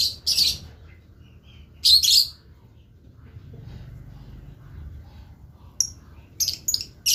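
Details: Blue lovebird singing actively, with a few short piercing, scratchy chirps spaced by quiet gaps and a faint low hum in the background.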